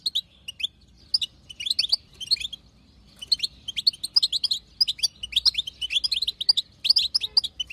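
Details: Wild female European goldfinch chatter played to trigger a male's singing. Lively, high, jangling twitters and chips arrive in clustered bursts, with a short quiet gap near the middle and a faint background hum.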